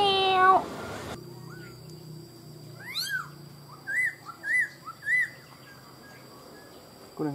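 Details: A tame caged male black laughingthrush, which fans its tail while singing, gives a rising sweep, then four clear, rounded whistled phrases about half a second apart; speech opens the recording and a voice returns at the end.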